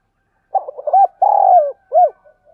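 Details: Vigorous cooing from a decoy spotted dove meant to stir up wild doves. A stuttering burst of short notes opens into a long, husky coo that drops at the end, followed by a single arched note.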